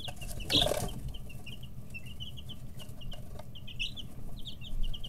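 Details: Chicken chicks 11–13 days old in a brooder, noisy while stretching feathers and pecking: a steady stream of short, high peeps over a low constant hum, with a loud rustling burst near the start and scattered sharp clicks.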